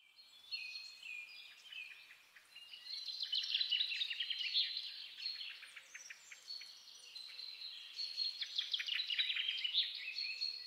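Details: European greenfinch (Chloris chloris), song.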